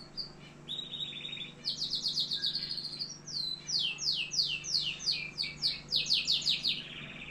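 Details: Algerian canary pouring out song: a short low trill, then loud evenly pulsed high notes sliding downward, repeated about three per second, closing with a softer rolling trill over a quiet steady hum.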